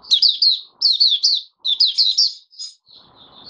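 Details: Kept oriental white-eye singing on the fifth day after its monthly deworming, January 2022: quick bursts of high, sweet twittering notes in phrases of about half a second, separated by short pauses, with faint low indoor rustling.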